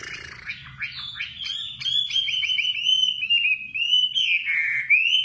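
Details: Nightingale song: quick chipping notes lead into a long, wavering, drawn-out whistle that slides down and back up in pitch, ending on a rising flourish.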